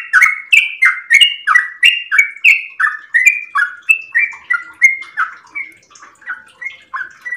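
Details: At dawn in the early morning, a kept yellow-vented bulbul (Pycnonotus goiavier) sings a long run of bubbly, gurgling notes, about three a second, wavering up and down in a steady chatter. The song is used as a lure and tutor for other birds.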